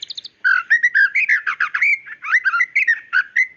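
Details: White-rumped shama female calling to the male, a sharp song meant to lure a male into singing: short, brisk jumble of warbled whistles and chirps with slurred rising notes.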